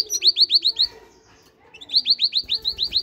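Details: Great tit singing two quick bursts of bright, high notes that slur downward, each burst holding roughly six to eight evenly spaced notes with a brief gap between them.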